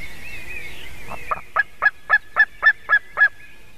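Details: White-tailed eagle chick at a Latvian nest on 17 June 2019 at 9:05 AM, calling in an almost adult voice as a buzzard flies toward the nest and lands behind it: eight sharp yelping notes in a steady, fast series, with faint songbirds before.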